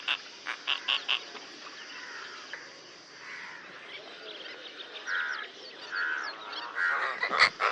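Asian openbill giving hoarse, croaking notes: four quick harsh bursts, then longer, drawn-out groaning croaks, over a steady high insect hiss.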